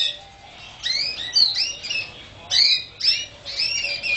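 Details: Canary song: bursts of warbled, rising and falling whistles and chirps in short phrases separated by brief gaps, over a faint background hiss.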